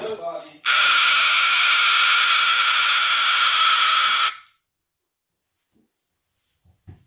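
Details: A male pet cockatoo gives one of his many calls, a "pterodactyl" call: one long, harsh, grating screech lasting nearly four seconds, loud and unbroken, followed by near silence with a few faint knocks.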